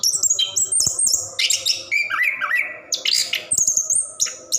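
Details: Song of a caged orange-headed thrush, played to encourage silent birds to sing; sustained high whistles, a dipping buzzy run of notes and sharp upward flourishes in continuous delivery.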